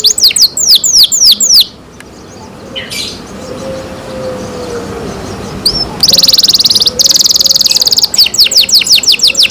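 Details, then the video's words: Canary cared for by its keeper: bursts of quick descending whistled notes, a quiet gap with a faint low tone, then a loud buzzy roll and more rapid sweeping notes. "canary Nice sound"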